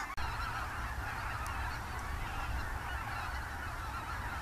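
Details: Thousands of wild Barnacle, Greylag and White-fronted geese fly in the morning from their roost on IJsselmeer shallows to feed in fields near Gaat, Netherlands, in October 2015, with a steady overlapping roar of honking and cackling over low wind.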